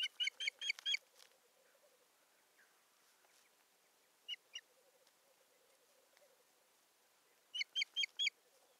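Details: Wild Osprey at its nest on a live nest camera in Satakunta, 7 May 2019, as a bird brings a stick and busies itself at the nest: sharp whistled high notes in quick bursts, five, then two, then five again.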